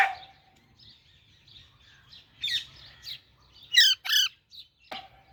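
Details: Quiet, faint high chirping from a baby Alexandrine parakeet builds to a sudden loud, harsh double squawk, with a sharp click near the end.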